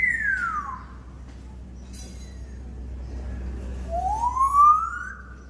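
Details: Domesticated African grey parrots whistling: two clear, siren-like whistles, one sliding downward, then after a pause another gliding upward, over a low steady hum.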